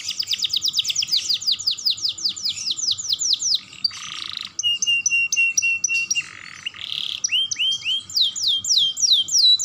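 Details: Canary, a young bird used to excite other canaries into song, delivering a long rapid run of rolling high notes, then buzzy blocks, steady whistled tones and swooping phrases.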